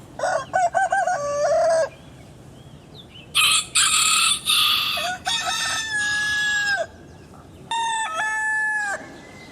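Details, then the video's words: Rooster crowing three times, each crow a harsh, stuttering opening that settles into a long, drawn-out, sustained note. A short, loud, noisy squawk falls between the first and second crows. "Real Rooster Sound I Sonido de Gallo Real I Vrai Son de Coq"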